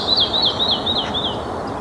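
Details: Red-breasted flycatcher calling: a run of thin, wavy, high notes repeated about four times a second for over a second, growing softer toward the end, over a steady low background hum.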